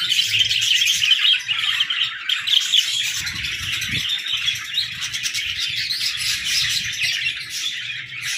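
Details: A busy aviary of playful budgerigars gives constant chattering: rapid chirps, warbles and squeaks from many birds at once, with a soft thud midway.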